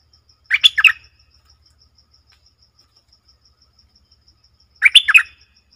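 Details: Streak-eared bulbul recorded 20 March 2022 giving two short bursts of bubbly, slurred chirps about four seconds apart over a steady, faint high ticking.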